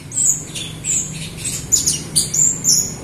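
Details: Jalak Rio myna in song used to draw out other Rio birds; thin, high squeaky whistles and harsh chatter in short repeated bursts over a steady low hum.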